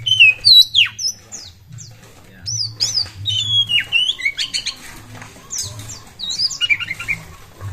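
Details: Oriental magpie-robin singing hard as a lure for other songbirds: varied whistles, slurred downward notes and quick chattering phrases in an unbroken flowing stream, with a low hum in the background.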